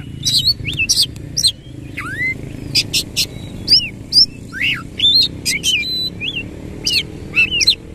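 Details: Oriental magpie-robin singing energetically with its tail spread in the rolling 'ngerol' manner, giving bright whistled upward and downward slurs mixed with high sharp chips, spaced irregularly about twice a second over low hum.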